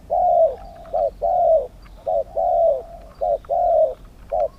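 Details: Spotted dove, a large Thai dove, used for pen-trap decoying with wild birds, giving loud, mellow coos in rhythmic bursts: long drawn notes alternating with short clipped ones, about one phrase per second, over faint background hum.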